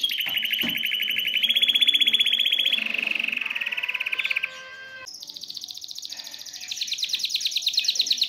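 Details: Excited caged male canary singing to stimulate a female to mate, as if wanting to break the cage: fast buzzy trills in steady tours, a mid-pitched rolling trill giving way to a higher, sharper rapid trill after a short quieter passage.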